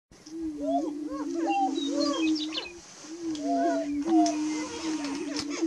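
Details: Greater prairie chickens before dawn on 30 March 2018: a steady low droning hum runs almost unbroken, overlaid with short arched whooping and cackling notes that rise and fall, plus faint higher chirps.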